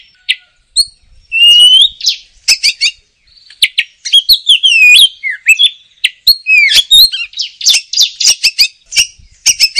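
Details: Oriental magpie-robin in energetic chattering song: loud whistled phrases sliding between rising and falling notes, mixed with sharp clicks and harsh buzzy bursts, delivered in fast varied bursts with short pauses.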